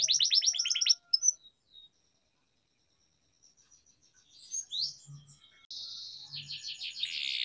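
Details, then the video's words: Canary singing, used as a training track for canaries; a fast trill of rapid notes opens, then a long pause with faint chirps before buzzy rolling phrases and a dense trill return near the end. "Canary Singing Training, Kenari Gacor Ngerol Panjang"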